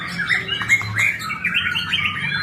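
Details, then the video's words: Award-winning white-rumped shama singing its full repertoire: dense, rapid run of whistled and chattering phrases with sliding notes, continuous and energetic, a faint low hum beneath. "Murai batu Blorok prestasi full materi"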